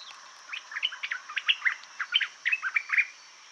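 A White-throated Bulbul gives a quick, chattering run of a dozen or so bright, mid-pitched chirps over about three seconds, against a steady high insect-like hiss.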